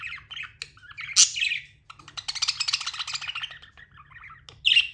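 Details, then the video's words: Budgerigar chirping and chattering: scattered squeaky notes, a loud harsh squawk, then a long buzzy rattling warble, ending with another sharp squawk; low hum throughout. "Amazing budgie chirping sounds"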